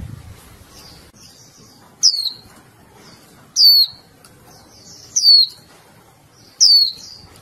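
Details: A female Japanese white-eye keeps calling to get the male singing; four sharp, high, falling chirps about 1.5 seconds apart, separated by soft buzzy notes over a quiet background.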